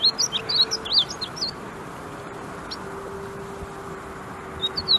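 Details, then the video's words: A male painted bunting at Wichita Mountains Wildlife Refuge, Oklahoma, sings a quick, high, sweet warble of jumbled slurred notes, pausing before a brief final phrase, over a faint steady hum. "painted bunting bird call"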